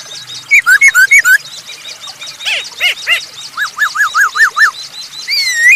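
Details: Masked laughingthrush in loud, steady song, used as a lure to get other birds singing: a run of four clear, slurred whistles, then a cluster of lower notes and six quick rising-falling whistles, over busy high chirping from other birds.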